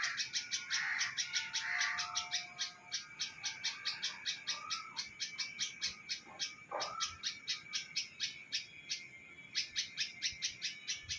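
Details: Bulbul nesting in a neem tree, Hyderabad, Sindh, Pakistan: continuous quick chirping, several notes a second, interrupted by a few lower slurred whistles and a short gap before resuming.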